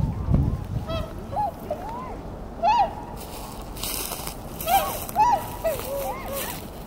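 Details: Tundra swans calling in scattered, arched, honking notes, several overlapping from different birds, with bursts of hissing noise partway through.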